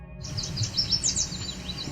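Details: Cedar Waxwings near Otter Lake, Cape Chin North, Ontario, on 17 July 2019 give very high, thin, whining notes in quick slurred bursts. They are partly hidden among other birdsong over a low background rumble.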